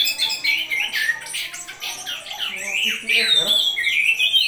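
An orange-headed thrush sings a fast, unbroken run of varied squawky and whistled phrases, swinging between mid and high pitch, with little pause.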